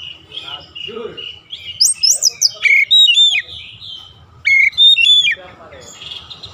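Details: Oriental magpie-robin trained daily for a long rolling song: soft rambling notes and background noise first, then two clear bursts of sharp rising whistles and level ringing tones.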